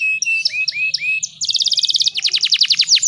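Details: Female canary singing to stimulate males: level whistles with short rising notes, then a fast rolled trill of rapid repeated notes, ending in a series of steep falling sweeps.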